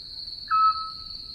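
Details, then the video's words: A Eurasian Scops Owl in Portugal gives its song, one soft, pure whistled note, short and level, over a steady thin high whine; a spring night sound, repeated about 22–25 notes a minute, roughly every 2.5 seconds. "E agora vamos ouvir o canto do mocho pequeno de orelhas."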